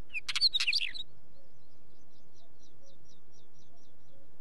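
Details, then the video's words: Wheatear song as a short, harsh, crackling phrase with a few squeaky whistles, then quiet with faint regular ticking notes in the background. "Wheatear song"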